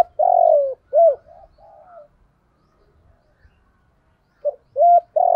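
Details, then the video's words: Spotted dove call used to lure wild doves, a local-voice bird: loud, mellow coos in a rhythmic phrase, softer trailing notes, a pause, then the phrase starts again. "Chim cu gáy gọi bổi/ tieng cu gay kich boi nhanh noi"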